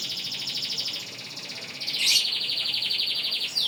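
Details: Canary in full long-breath song: one unbroken, high rolling trill, steady and fast, shifting pitch and growing louder midway, carrying on without pause for breath.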